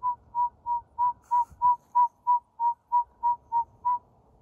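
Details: Northern saw-whet owl singing at Beaver Meadow Nature Preserve, Buffalo: a steady run of low, whistled toots, about three per second, all on one pitch, with only faint background rumble.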